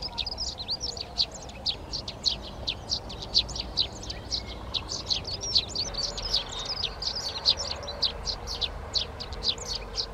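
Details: Eurasian tree sparrows occupying nest boxes in a garden at Přerov, Czech Republic, 19 March: continuous busy chirping, brief high notes tumbling over each other for ten seconds against soft background noise.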